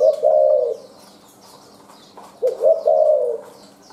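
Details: Wild adult spotted dove calling in the style locally called "ra lèo rặm mau, chu thưa": two low, mellow cooing phrases, each a short rising note and a longer hollow coo, about two seconds apart, with faint high chirps from other birds.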